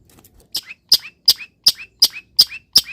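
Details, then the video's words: Caged long-tailed shrike in morning sun after misting, singing a fast series of sharp high notes, each ending in a short downward hook, repeated about every 0.4 seconds. "BURUNG CENDET SANGAT BAHAGIA KETIKA DI EMBUNKAN DAN KENA MATAHARI PAGI - CENDET GACOR FULL ISIAN"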